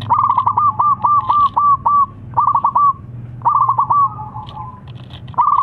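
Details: Zebra dove of local wild stock, strong-voiced and kept as a singing lure for other doves, delivering bursts of rapid, clipped coos that roll out in quick series, with short pauses between bursts.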